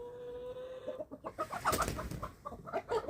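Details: Several 11-week-old chicks on a small family farm in Germany at feeding time, giving short clucking notes in quick irregular bursts over a steady hum, with scratching and pecking noises.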